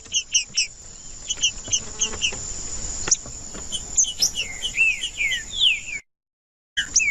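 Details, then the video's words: Trinca-ferro, or green-winged saltator, singing to warm up a cold bird: sparse short chips at first, then a cluster of downward-sliding whistles, a thin steady whine throughout and a brief silent gap near the end. "TRINCA-FERRO CANTANDO/ESQUENTAR TRINCA FERRO FRIO"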